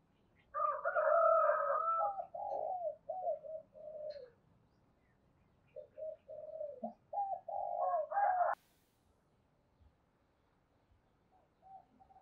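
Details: Decoy spotted dove calling wild birds with two phrases of low, hollow cooing notes, the first rapid and run-together, the second set of short coos a few seconds later. Faint higher notes and quiet background hiss.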